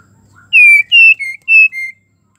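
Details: Breeding female white-rumped shama calling for a male: a short soft lead-in, then five bright whistled notes, loud and softer in turn, with the last falling slightly in pitch.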